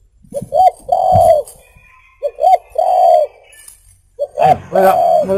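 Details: Spotted dove cooing, used for luring and as a master recording. Three phrases, each two clipped coos followed by a long soft coo, recur roughly every two seconds. Faint background chirping is present, and the last phrase overlaps other noise.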